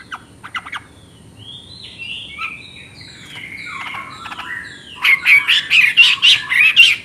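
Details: Chinese hwamei song: faint rising whistles at first, then a loud burst of rapid, harsh, repeated chattering notes over the last two seconds.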